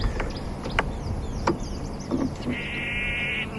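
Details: Orange-breasted bushshrike (Chlorophoneus sulfureopectus) hopping in a bush on a sunset drive, December 13, 2015, gives a few sharp ticks, then a steady, buzzy, high trill for about a second, over a low vehicle engine rumble.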